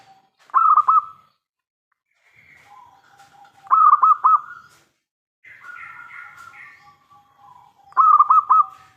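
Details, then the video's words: Singing local zebra dove, meant to prompt other doves to reply: three stuttered coo phrases roughly every three and a half seconds, with softer higher warbling tones filling the gaps between them. "PERKUTUT LOKAL GACOR suara besar - MENGUNDANG BUNYI SEMUA JENIS BURUNG PERKUTUT (PASTI NYAUT)"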